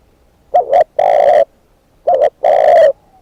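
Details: Decoy spotted dove delivering two phrases, each a clipped doubled coo and then a sustained mellow note. The phrases are about one and a half seconds apart.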